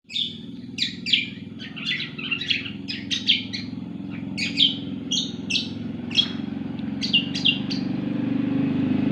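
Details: Cucak kombo singing lively, a fast run of sharp chirps and short whistled notes in bursts of two or three, repeated through the clip over a steady low rumble like an engine or hum.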